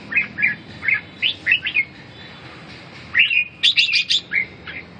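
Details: Red-whiskered bulbul delivering rapid, sweet whistled notes in two bursts separated by a short pause, the second burst higher and more excited, with a low steady hum behind.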